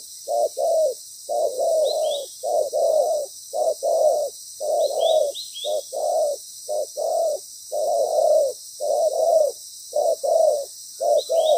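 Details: Spotted dove used as a loud-voiced caged decoy during ground trapping, with a good, well-patterned voice. Deep, hoarse cooing notes come in quick paired and grouped bursts with short pauses throughout, and faint high chirps from small birds are heard occasionally.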